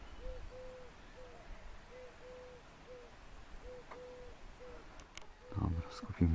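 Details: Two or three European turtle doves (Streptopelia turtur), recorded from very far away at a feeding spot with old chaff near Brzeg Dolny, Poland, giving low, soft purring notes in short and drawn-out pairs; a person speaks and handling noise at the end.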